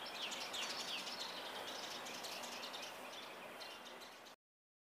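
A Brahminy myna gives rapid, high chirps and short downslurred whistles, several a second, against a steady hiss of background noise.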